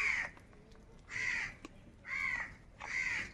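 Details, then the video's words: Four rasping caws from crows squabbling over food, each roughly a third of a second long and spaced about a second apart. "Crow bird Fight for Food | Different kauwa ki awaz"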